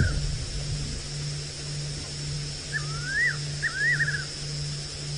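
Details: Fiery-necked nightjar calling in darkness on a spotlight drive, later flying over the vehicle; a pair of wavering whistled phrases, rising and dipping, near the end, with a constant low engine drone throughout.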